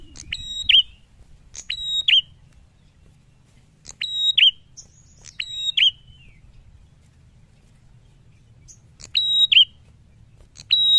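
A prinia gives loud, sharp, high whistled notes in short paired bursts with harmonic ring, repeated every two to three seconds with gaps.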